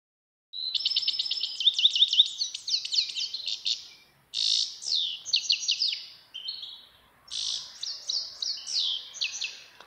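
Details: Grey-headed goldfinch song: a fast, bright twittering run of high buzzy trills and chirps, delivered in three bursts separated by short pauses, on a quiet background.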